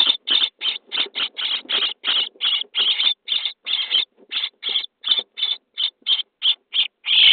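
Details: Common starling chicks at day 23 in a nest box, being fed, keep up a fast, steady run of short, hoarse hissing calls, roughly three or four each second.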